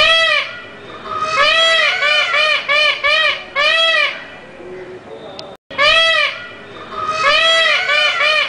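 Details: Peacock shrieking while dancing: loud, nasal, wailing cries in rapid series of rising-falling notes. One burst is followed by a pause, then another run of similar shrill cries, with a brief click between them.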